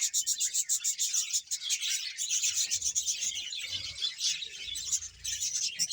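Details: Budgerigar colony of about 100 pairs in Bahawalpur: dense, continuous high chirping and warbling chatter from many birds, with a rapid scratchy ticking running through it.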